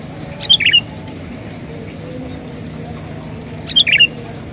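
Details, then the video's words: Vigorously singing sooty-headed bulbul, recorded for luring birds: two identical brief phrases of liquid, chirpy whistled notes about three seconds apart over steady low rural noise. "suara pikat burung KUTILANG gacor"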